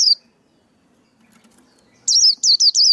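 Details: Male white-eye singing, a recording used to stir up young birds, train their voices and lure birds into traps; one high sharp chirp, a long silence, then three quick high slurred chirps, each dropping in pitch.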